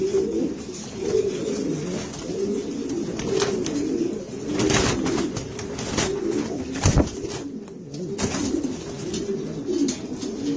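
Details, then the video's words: Granadino pigeons, a Spanish breed, cooing together in a loft: low, rolling, overlapping coos run continuously, mixed with wing flutters and scuffling clatter. "الحمام الغرناطي الإسباني. Pigeon granadino"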